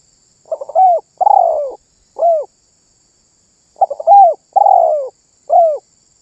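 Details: Spotted dove cooing steadily in 'manggung' style, a song said to make other birds call too. Two low, mellow phrases, each stuttered notes leading into a long falling coo and a short rounded ending, separated by silence.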